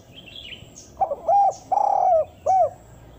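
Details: Spotted dove (tekukur) giving its lure call used to attract wild doves: two quick soft notes, a long low rolling coo, then a single arched coo, all mellow and low-pitched, with a faint bird chirp beforehand.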